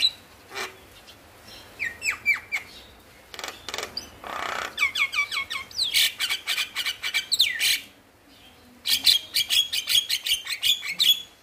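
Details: Male Javan myna in song, used as a lure to get reluctant mynas singing: a varied run of harsh broadband rasps, short whistled notes and dense bursts of rapid clicking chatter, with brief pauses between phrases.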